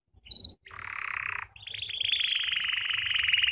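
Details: Belgian canary song for training: a short high note, then a dense buzzy trill held steady, followed by a long rapid rolling trill with bright overtones, repeated many times per second.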